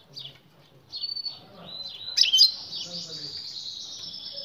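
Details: European goldfinch female calling to prompt the male to mate; thin high notes followed by a sustained buzzy, wavering tone, fairly quiet.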